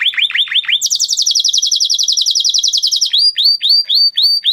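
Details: Male canary in full song, opening with a few downward-sweeping chirps, then a long fast high rattling trill lasting about two seconds, and closing with repeated rising whistled notes.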